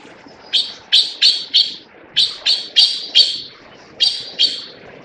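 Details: Taiwan blue magpie giving harsh, raspy notes in three quick bursts of four, four and two, each note a short rough burst with a sharp onset, over faint low background hiss.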